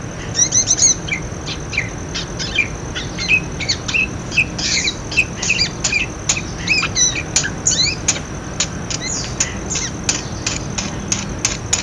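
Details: Budgerigar sounds played to start silent budgerigars calling: fainter, busy twittering and squeaky notes, with regular sharp clicks throughout.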